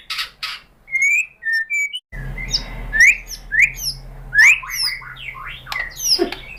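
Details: White-rumped shama song used as a lure to provoke another shama into singing: clear whistled notes and sharp upslurred phrases around mid-high pitch, with a low hum in the background.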